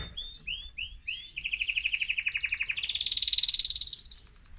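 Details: Excited male mosaic canary singing to stimulate other birds: a few slurred upward notes, then long fast trills of repeated pulses, rising in pitch midway and held bright and steady to the end.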